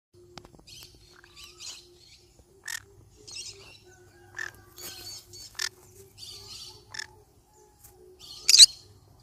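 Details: Yellow-sided conure parrot giving a series of short, harsh, scratchy calls spaced about a second apart, mostly soft, ending with one louder raspy screech; a faint low hum underneath.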